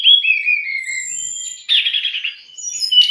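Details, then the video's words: Long falling whistled notes from a brown-chested jungle flycatcher, then a dense buzzy trill and rising clear tones, played as tutor and provoking song for untrained or stressed kept birds. "MASTERAN DAN PANCINGAN SRDC"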